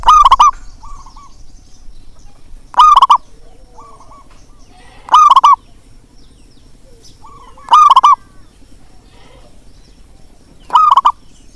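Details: Calling zebra dove (local perkutut), used to stir quiet doves into sound. Five loud, rapid, warbling coo phrases arrive at uneven gaps of two to three seconds, with softer distant coos from other doves in between.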